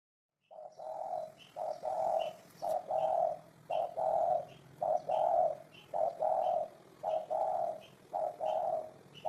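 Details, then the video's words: Spotted dove cooing steadily, a long run of low, hollow two-part phrases, about one each second, with a higher, thin chirp from another bird above each phrase. "Tổng hợp tiếng chim cu gáy hay năm 2018"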